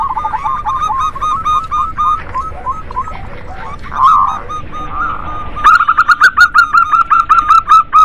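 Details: Crowded song of local zebra doves meant to rouse silent doves: evenly spaced short coos, a brief warbling swell midway, then a louder fast run of clipped repeated notes.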